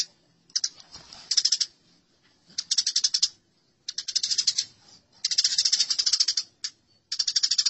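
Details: Fighting house sparrows in a masteran recording: uneven bursts of harsh, high chattering, short at first, then a longer rattling run with brief pauses between groups.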